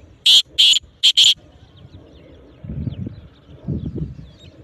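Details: Black francolin calling from atop a rock, giving a burst of four harsh, rasping notes in under a second, followed by quieter low rumbling background noise.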